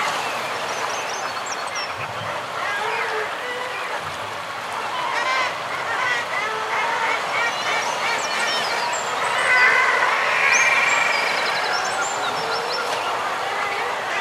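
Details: Common guillemots calling as a group on their breeding ledges, with fulmar and kittiwakes nearby: a dense, continuous chorus of harsh, overlapping growling calls, topped by thin high squeals and whistles. A louder swell comes near the tenth second.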